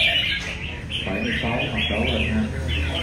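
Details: Red-whiskered bulbul (Pycnonotus jocosus) in a singing competition gives short, bright, warbled phrases in quick succession, over a low hum, faint voices and clapping.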